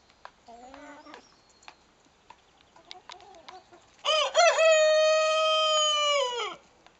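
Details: Young Salmon Faverolles rooster that started crowing about a week earlier, hatched in September. After a few soft, low calls, he gives one loud, sustained crow of roughly two and a half seconds. It starts with short rising notes, then holds a steady tone.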